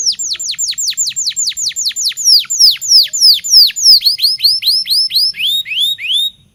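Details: Local canary singing, meant to help young canaries learn to sing: loud, clear down-slurred whistled notes repeated about three times a second, later turning into quicker up-and-down swept notes before stopping abruptly.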